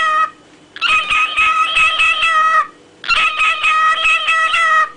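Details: Captive parrot's song: two sustained, reedy, harmonic phrases of roughly two seconds each, pulsing slightly within, with a short clipped note at the start and a quiet gap between them.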